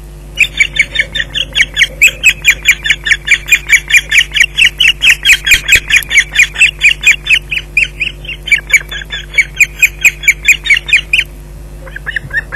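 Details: Osprey at its nest at Loch Garten, Scotland, delivering a fish at 17:27 on 19 June 2011: a long run of loud, sharp, squealing calls repeated about twice a second for eleven seconds, over a steady low electrical hum.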